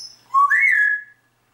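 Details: Pet grey parrot singing Atemlos durch die Nacht by Helene Fischer: one loud whistle that starts low, jumps higher and is held for about a second.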